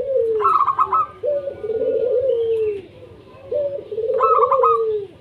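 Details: Local zebra dove song meant to set other doves singing: repeated rapid staccato note runs alternating with lower, rolling, purring coos that sag in pitch, with several doves calling together.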